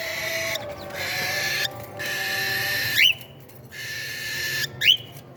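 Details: Cockatiel chicks at meal time hiss in long raspy bursts, cut by pauses, and twice break into a shrill rising squeak; low hum continues in the background.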